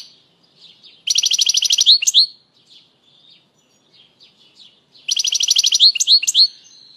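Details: European goldfinch song for stimulating birds and tutoring fledgling goldfinches: two dense buzzy trills about four seconds apart, each followed by sharp rising tweets, with soft scattered notes between.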